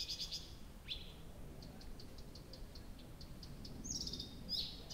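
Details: Early-June night at Abramtsevo, from 23:00 on 6 June 2021, a nightingale delivering a soft series of evenly spaced ticking notes between a rising sweep and high descending whistles, over a low rumbling background.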